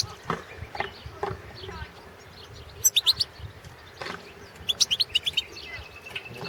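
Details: Balkan goldfinch (Carduelis carduelis balcanica) singing for a 2017 goldfinch song championship organised in Serbia. Two bright bursts of rapid, high twittered notes, around the third and fifth seconds, rise above a noisy, faintly clicking background.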